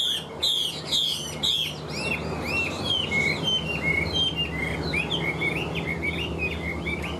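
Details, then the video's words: Singing caged male hwamei opens with loud sharp whistled strokes, then runs into a long fast stream of rolling, warbled notes that rise and fall without pause over a low background hum. "Ngũ trường bộ to, hót tốt, bóng bộ cực đẹp | Họat Họa Mi"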